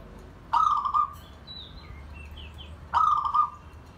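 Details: Zebra dove bonding and inviting other birds, a pet bird repeating a short purring trill twice, about two and a half seconds apart, with faint high chirps from other birds in between.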